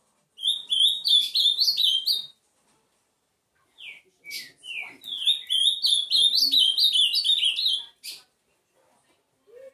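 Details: Ultramarine grosbeak singing in the 'bike' style: two bursts of rapid, warbled whistled phrases, each about two seconds, with notes sliding up and down at a high pitch, separated by a few short isolated notes.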